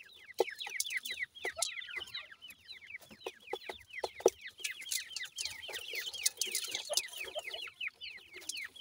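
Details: Sindhi grey francolin chicks peep constantly as they feed, a dense run of clear, high, falling chirps from several birds, punctuated by sharp clicks like pecking.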